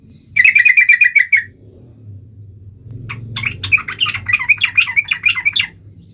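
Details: Sooty-headed bulbul (trucuk) in sharp, emotional full song, used to make other trucuk birds sing. A fast rattling burst of repeated notes, then a jumbled, warbling chatter over a steady low background rumble.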